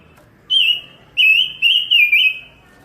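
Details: Pancawarna bird singing nonstop, loud and busy, used as a training recording for other songbirds: a clear whistled note, then three linked wavering whistles, all high-pitched and steady, with quiet background.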